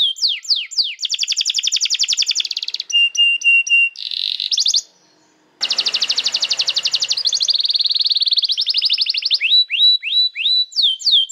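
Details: Canary song meant to tutor young canaries: changing phrases of downslurred whistles, rapid buzzy trills and clipped repeated notes, interrupted by a second of silence, then more fast trills and sweeping whistles.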